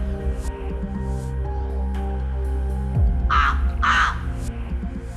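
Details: A crow gives two harsh, hoarse caws in quick succession, followed by the start of a third, over steady background music.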